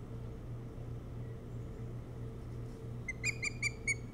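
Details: From the nest on Hog Island, Maine, recorded by nest cam around 4:36 am on 07-03-2018: after a quiet stretch of low hum, an osprey gives a short run of five or six piercing whistled notes.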